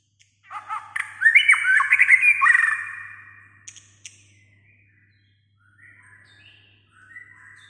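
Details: White-rumped shama, described as singing almost all day: a dense burst of rapid varied whistled notes for about two seconds, then scattered softer phrases and quiet pauses, with a faint low hum.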